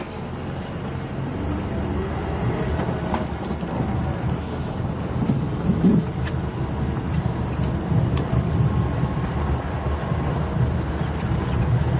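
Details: Steady low vehicle engine rumble with faint clicks and knocks, and no animal calls heard.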